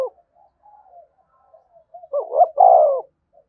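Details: Cooing spotted dove, used to stimulate other doves to coo. Faint, soft murmurs lead into one strong phrase near the end: two quick upswept notes, then a long, smooth, falling coo.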